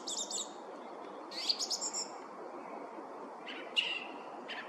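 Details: Song thrush singing from the top of a spruce: short bright phrases of high chirps and a whistled note with sharp overtones, separated by brief pauses, over a steady low background hiss.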